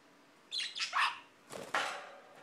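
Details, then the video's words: Female pet bird imitating a dog: two pairs of harsh, raspy, bark-like bursts, each burst short and noisy, with a brief pause between the pairs in a quiet room. "Barking Bird"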